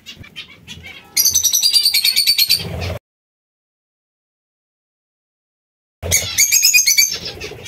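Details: Zebra finches giving loud, nasal, buzzy calls with stacked overtones, rapidly repeated about three times a second in a steady run, broken by three seconds of silence, then resuming; a softer low rumble runs underneath.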